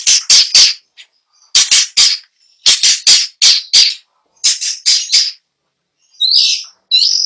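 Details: Long-tailed shrike singing a rich, varied repertoire in continuous rolling delivery: bursts of harsh, scratchy notes in groups of three or four, separated by short pauses, ending in higher squeaky phrases.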